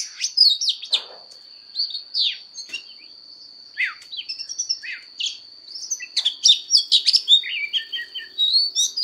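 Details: Oriental magpie-robin singing a fighting song during voice training: bursts of sweet whistles and sharp scratchy notes separated by short pauses, growing denser toward the end, over a constant thin high whine.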